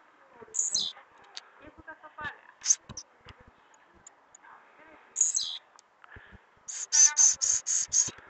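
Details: Blue-black grassquit singing a lot, its song in the trincado style: short buzzy phrases sliding sharply downward from very high pitch. Two single phrases come a few seconds apart, then a fast run of six clipped high notes. Faint background murmur.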